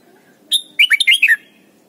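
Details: Red-whiskered bulbul phrase used to train young birds: a single high whistle followed by a rapid string of five lilting, slurred notes falling at the end, loud against quiet background.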